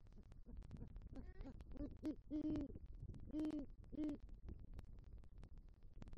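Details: Great horned owl pair at their nest tree in Southwest Florida on the night of 2–3 Nov 2023, where the male brought rodent prey and called for the female: deep, soft hoots in a short series, with background noise and faint clicks.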